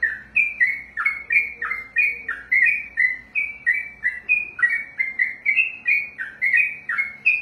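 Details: Trained sooty-headed bulbul (trucukan) performing a long 'ropel' run of full-voiced whistles, alternating high and lower slurred notes in an unbroken, rapid stream throughout, over a quiet background.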